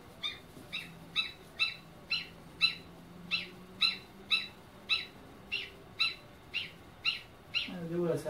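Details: Newly hatched goslings: a regular series of high, clear peeps, about two per second, over a faint low hum, with a brief rising, fluttering sound at the end.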